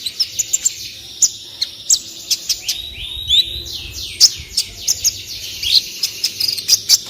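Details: Olive-backed sunbird (kolibri ninja) song for masteran tutoring of other birds: rapid high chirps over a layer of lower downslurred whistles, with sharp accented notes scattered throughout.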